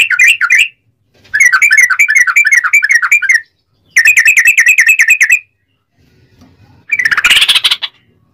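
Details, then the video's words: Sooty-headed bulbul singing a long rapid 'ropel' trill used as a lure to make other bulbuls sing: three bursts of fast, chattering, bubbly notes at a steady mid-high pitch, each lasting about two seconds, then a short harsh noisy burst. "trucukan ropel panjang TARUNG PANCINGAN TRUCUKAN agar bunyi"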